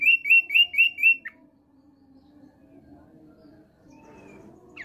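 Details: Short phrase from a male thick-billed white-eye: five quick, bright whistled notes in a row, closing with a lower slurred note. Then near silence with a soft low hum.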